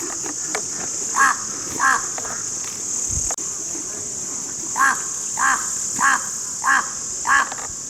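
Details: Crow calls for attracting crows: a series of short hoarse caws, two early then five spaced about every half second, over a constant high-pitched insect-like hiss.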